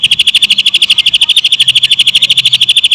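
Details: Greater green leafbird song imitating a lovebird: crisp, loud pulses strung together at about eight per second in a seamless trill, with a soft low hum behind.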